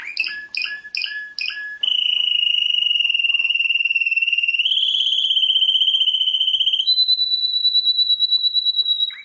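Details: Champion canary: four clipped, overtone-rich notes, then a long rolling trill that steps up in pitch in three stages, each level held steady for a couple of seconds.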